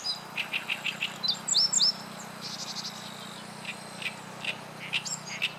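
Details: Oriental Reed Warbler song by a river on 29 June 2013, in fast runs of harsh, grating notes about four a second, with thin upswept whistles from another bird, possibly a Meadow Bunting, over a steady low hum.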